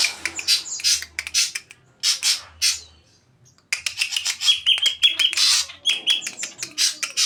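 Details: Greater green leafbird performing saeran abu (ashy drongo) sounds: bursts of harsh, scratchy high notes, a short pause, then a rapid run of clipped whistles and chatter.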